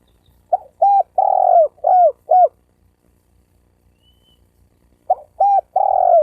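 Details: Spotted dove coo for stirring wild doves and males and females to fight: a clipped lead note, a short coo, then an extended hoarse coo and two brief descending coos, with the next phrase starting after a silent gap.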